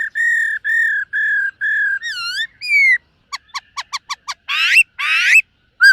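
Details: Silver-eared laughingthrush in morning song, trained for voice; series of steady whistled notes, then swooping arched phrases, a run of quick sharp clicks, and two harsh buzzy rasping bursts.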